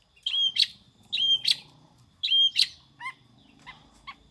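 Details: Long-tailed shrike singing with a prinia-like flavour: three high, buzzy whistled phrases, each a slurred whistle ending in a harsh rasp, about one second apart, followed by softer clipped notes.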